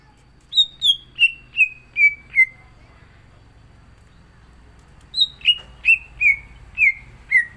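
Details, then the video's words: Green leafbird (cucak ijo) in full, varied song, kept for singing contests: two bursts of six clear whistled notes, each sliding downward and stepping lower in pitch, separated by a short pause, with faint low hum beneath. "CUCAK IJO GACOR ISIAN"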